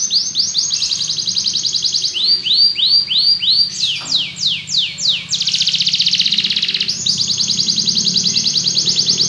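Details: Belgian canary delivering varied tours: a buzzy rapid trill, a row of rolling down-slurred notes, then long dense rattling trills, all high-pitched.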